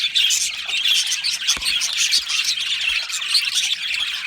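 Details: Budgies in a colony aviary chirping and warbling together, with several clear whistled notes over the dense high chatter and one sharp click.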